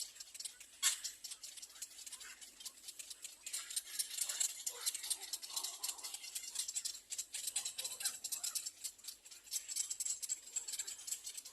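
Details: Little egret young begging for food at the nest (nest three): a loud opening click, then a sustained rasping, rattling chatter with scattered harsher squeaks.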